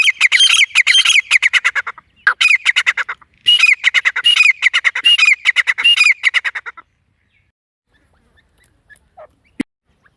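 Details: Wild grey francolin giving its harsh call, used as a lure in hunting: bursts of loud, grating notes follow one another in quick succession for nearly seven seconds, broken by short gaps, then near silence with a faint click.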